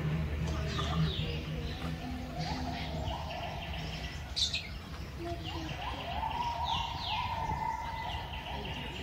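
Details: Society finch, also called Japanese munia, at a bird farm in Sidoarjo, East Java, Indonesia, during mating; soft high chirps and descending buzzy notes with a rising whistled phrase, over steady low hum and faint speech.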